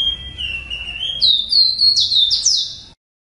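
A ruddy-breasted seedeater sings a high, clear phrase: a steady whistle, then a quick run of rising and falling slurred notes that turns louder and buzzier near the end.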